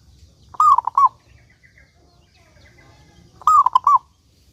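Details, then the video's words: Local zebra dove singing frequently, used as a lure to make other doves sing: two cooing phrases about three seconds apart, each a mellow slurred falling note followed by two short clipped notes, over quiet low hum. "Perkutut Lokal Gacor Suara Paling Ampuh Untuk Pancingan Burung Perkutut Agar Bunyi gacor"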